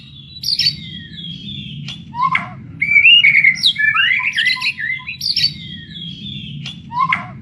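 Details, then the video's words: White-rumped shama, a blorok variety, singing: varied whistled and buzzy phrases, sliding and warbling between low and high pitches, with quick trills in the middle and a steady low hum underneath. "burung murai batu blorok"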